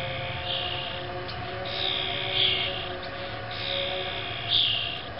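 Young grackles beg with harsh, raspy hissing bursts repeated about once a second, over a low steady mechanical hum.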